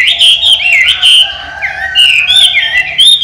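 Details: Chinese hwamei, an owner-trained bird that flies from its opened cage and returns, sings clear, slurred whistles in short repeated phrases, some dropping in pitch, with a low steady hum behind.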